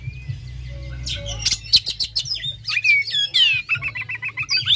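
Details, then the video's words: Used as a lure to excite captive Oriental magpie-robins into song: after a thin whistled opening, the bird launches into a rapid jumble of sharp chips, slurred whistles and buzzy trills, ending in a quick repeated twittering run, with a low electrical hum throughout. "Terapi Kacer langsung konslet Ngeplay buka paruh "pancingan Kacer ampuh" supaya cepat bukor"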